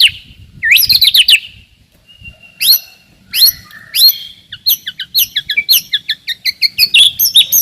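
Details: White-rumped shama singing to provoke rivals and test young birds: high jerky upslurred phrases with pauses, building to a rapid series of short clipped notes toward the end.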